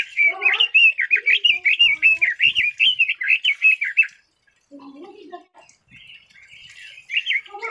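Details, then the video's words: A red-billed leiothrix (Leiothrix lutea) pours out a fast run of bright, zigzagging whistles for about four seconds, with lower chattering notes mixed in, then falls quiet before starting another phrase. "Red-billed Leiothrix Singing Voice - Leiothrix Lutea bird"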